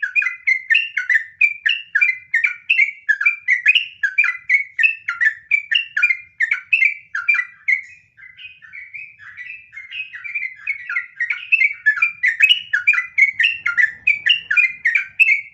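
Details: Extended trucukan song in the ropel panjang style from a sooty-headed bulbul. Bubbling whistled notes run on for over fifteen seconds, dipping slightly softer midway before surging again at full strength.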